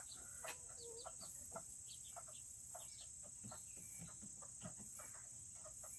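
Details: Serama chickens, among the world's smallest chicken breeds, in a coop on a cooler Tuesday; soft, short clucks and brief chirps scattered among many sharp clicks and scratching sounds, with a steady high hiss throughout.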